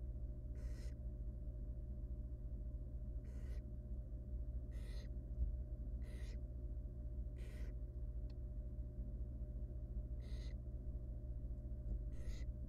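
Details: Barn owl chick, wild, inside a monitored nest box, begging as its mother helps it with a huge rodent: eight short, breathy, screechy hisses at uneven intervals of one to two seconds over a low droning hum.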